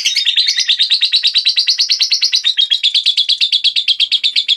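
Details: Continuous shrill twittering from a blue cobalt lovebird, with dense, rapid chirps pulsing steadily throughout and bright, squeaky notes.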